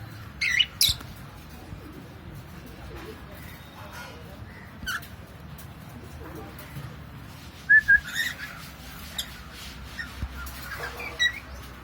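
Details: Pet cockatiel giving a few sparse, harsh squawks near the start and again around eight seconds, with faint chirps in between. A quiet room sits in the background.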